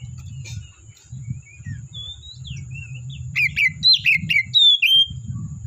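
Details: A wild Oriental magpie-robin sings a varied run of clear whistles, quick slurred notes and sharp chirps, growing louder and busier toward the end, over a low steady rumble.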